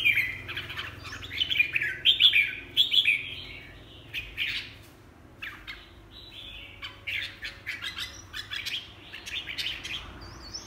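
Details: Red-whiskered bulbul singing a busy run of short, warbled whistled phrases, bright and slurred, coming in quick bursts with brief gaps and a softer stretch in the middle; faint low background hum.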